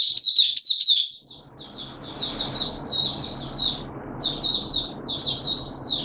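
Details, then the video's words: Hobby-kept caged oriental white-eye, 8 September 2022, slightly off form: softer high twittering notes in an uneven, steady stream over a noticeable hissy background. "Mata Puteh Kitaro Buka Sing"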